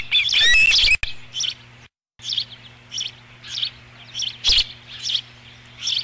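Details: Osprey nest at Dunrovin Ranch, 13 July 2016, fifth fish brought in: one loud burst of high chirping, a short silence, then softer, spaced whistled notes about every half second.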